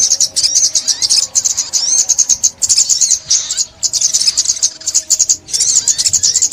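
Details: Ốc mít sunbird singing in a 2021 trapping recording, with bursts of shrill, high-pitched chattering trills separated by short pauses about every second or two.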